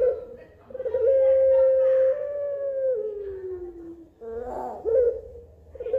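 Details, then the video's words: Puter pelung dove delivering a long steady coo that slides downward near its end, then a short rough note and a renewed hoot, with a low background hum. "9 Puter Pelung, suara dan karakter berbeda"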